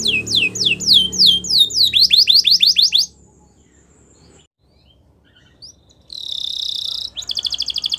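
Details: Belgian canary song for canary training: rapid repeated downward-sweeping notes and a faster run of sharp slurs, a pause of about three seconds, then two bursts of dense buzzy trilling.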